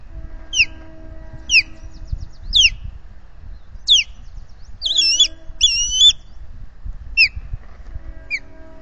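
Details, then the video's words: Osprey at a Finger Lakes nest on the afternoon of 12 May 2021, with intruders passing overhead; spaced, sharp falling whistles about once a second, broken by two longer wavering squeals, with light wind in the background. "Intruders overhead"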